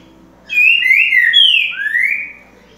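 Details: Green-winged saltator song, one loud, rich whistled phrase of slurred notes that rise, dip and end in a long falling glide, lasting about two seconds in a quiet setting.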